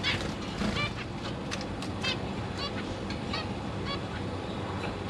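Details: Captive zebra finches in a cage, recorded 22 August 2023. Parents are feeding three juveniles and three newly fledged young. Short nasal, harmonic calls come at irregular intervals over a steady low hum of background noise.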